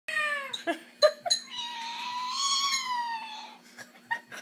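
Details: Caged Amazon parrot indoors at bedtime, imitating a complaining cat: one long harmonic meow-like wail that rises and holds, broken by short clicks and brief squawks, with a faint steady hum behind.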